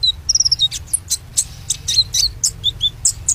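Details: Singing white-rumped shama, a kept bird: quick high whistles, sweeping slurred notes and sharp chirps follow one another rapidly, with a faint low hum underneath.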